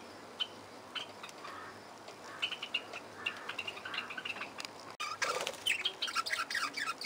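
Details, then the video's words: Parakeets in an aviary giving short chattering chirps and squeaks, scattered irregularly and growing busier toward the end, with a sharp click near the middle and a steady low hum underneath. "Parkieten geluiden – Parakeet sounds"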